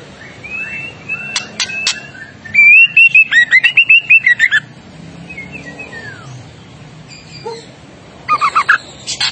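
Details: White-rumped shama, recorded as a tutor recording. Clear whistled notes and quick warbled phrases rise and fall, then come bursts of sharp clicks over a steady background hiss.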